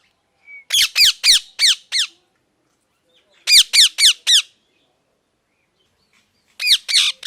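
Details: Parrot, called mithu, giving sharp harsh chirps in fast bursts of four to six notes, with about three bursts spaced a few seconds apart, each note a quick rasping squawk; otherwise quiet.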